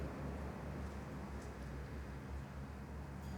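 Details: Steady low rumble of a vehicle or engine under a broad hiss, with no animal calls heard.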